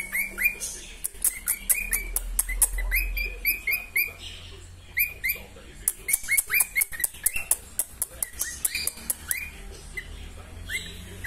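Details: Female cockatiel singing at home, apart from the males kept in a garage: bursts of short whistled chirps, many with upward-bending inflections, repeated rapidly with sharp dry clicks between phrases.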